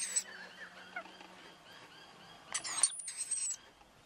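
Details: Two young wild rainbow lorikeets with their parents at a balcony feeder of powdered nectar; soft chattering notes give way to a loud, shrill, one-second screech, followed by scratchy chatter.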